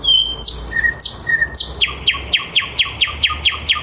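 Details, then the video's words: At 21:30, a Thrush nightingale sings live in the city at Käpylä, Helsinki: a few pure whistles and sweeping notes, then a fast series of loud, clicking, rattling strokes about four per second. "Käpylän satakieli Nightingale in fifty-seven languages !"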